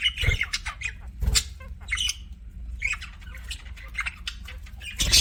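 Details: Pet budgies trade quick chirps and scratchy squawks, with short pauses and a few louder calls punctuating steady twittering.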